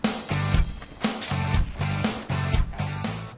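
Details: Only strummed guitar music is heard, with a steady beat and low chords about once a second, and no animal voice.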